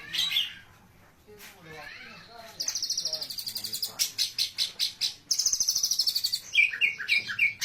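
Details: Oriental magpie-robin song, described as rich song material: bursts of high, rapidly repeated metallic notes in fast runs, broken by lower sliding whistles and ending in clear chirps, with a person's voice murmuring underneath.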